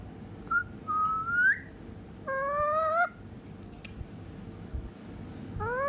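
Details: Indoor pet ringneck parrot, a rescue bird, copies a cat when asked. A whistled rising note comes first, then a nasal, harmonic meow. A second meow begins as the clip ends. Faint clicks are also heard.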